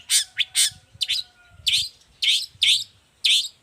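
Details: Energetic song of a long-tailed shrike, meant as a training model and to provoke other shrikes: loud harsh, rasping bursts separated by short pauses, with a faint steady whine in the background.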